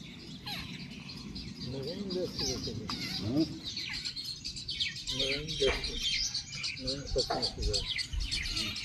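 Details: Wild jungle babbler chicks in Pakistan: a busy stream of short, high chirps and squeaky notes, repeated roughly twice a second in irregular bursts, with people talking at low pitch underneath throughout.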